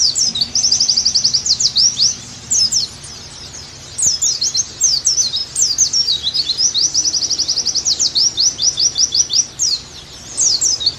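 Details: Long Oriental white-eye singing bout, used to coax a pleci back into energetic song: bursts of high, thin, rapidly repeated chirps and trills broken by short pauses, the rhythm quick and uneven.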